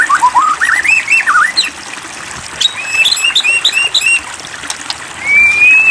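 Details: White-rumped shama singing, offered as a lure to push another shama to sing: varied wavering whistles, a burst of short stuttered notes, and a final long drawn, slightly falling whistle.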